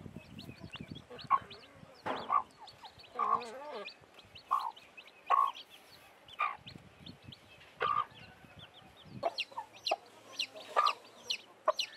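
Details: Blackish hen with newly hatched chicks: short, harmonic calls centred low and mid, spaced roughly every second, some wavering and warbled, mixed with higher thin chirps; a quiet room background.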